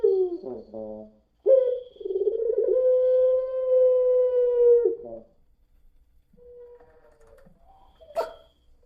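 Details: Puter pelung dove giving a lure song in the crying-until-coughing style. A short broken gurgle leads into a long level moaning note of about three seconds, followed by faint quieter notes and a brief click.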